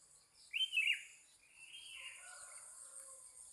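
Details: Morning birdsong at Pananjung Barat: a loud, quick twittering burst, then softer trailing whistled notes, with insects buzzing steadily high in the background.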